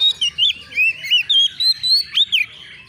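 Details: Young, untrained Oriental magpie-robin, agitated and answering a rival, giving a rapid series of short whistled notes that bend up and down, repeated several times a second.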